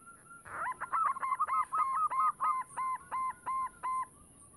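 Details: Zebra dove of a local strain singing as a lure for other doves: a fast stutter of notes settling into evenly spaced, clipped hooting coos roughly three per second, against low background noise.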